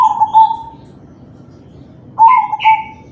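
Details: Cooing of a crossbred zebra dove, played to coax other doves into singing; a stuttered coo trailing off, a pause, then a second phrase of clipped notes and a sustained coo, overlapped by short chirps from another bird.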